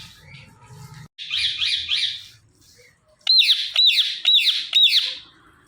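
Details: A female Indian ringneck parrot first gives a buzzy, rattling chatter, then after a short silence four sharp, piercing screeches about half a second apart.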